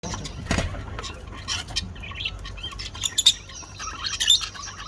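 Budgerigars chatter with quick, high, scratchy chirps and warbles at an irregular pace.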